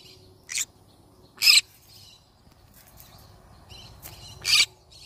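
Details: Yellow-sided conure parrot producing four short, harsh squawks at uneven intervals over a low, noisy background with faint chatter.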